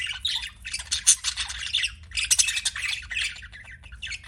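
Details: Pet budgerigar chattering in bright, scratchy twitters and squeaks, two dense bursts with a short lull between, faint hum underneath.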